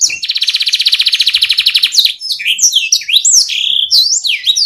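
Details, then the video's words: Canary song played to stimulate lazy canaries to sing. A long, fast, buzzy trill comes first, then quick high whistled sweeps that rise and fall. "Sekali putar kenari yang malas bunyi langsung nyaut di jamin gacor 100%"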